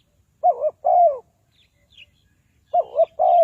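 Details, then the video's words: Spotted dove calling to lure wild doves to a trap. Two phrases, each a quavering coo then a prolonged soft descending note, with faint high chirps in between. "Tekukur Pikat,นกเขาใหญ่สายต่อดิน, Sound Of dove"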